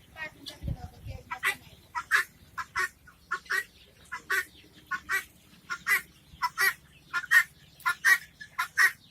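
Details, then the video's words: Helmeted guineafowl calling in a steady, regular rhythm, scratchy rasping notes repeated about every three-quarters of a second and gradually growing louder, after a brief low thump at the start. "Guinia | hen | gunia poul | hen| hens | fun | funny | animal | sound"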